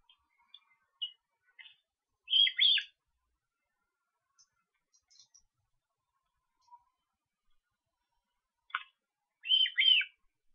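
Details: Osprey young at an Estonian nest on July 13, being fed, give loud squealing whistled begging calls in two bursts several seconds apart, with scattered soft chips and ticks between.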